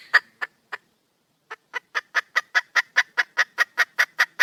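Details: Wild female red junglefowl calling to attract a male: a few spaced clucks, a pause, then a quickening, steady run of sharp clucks, about five each second, growing louder.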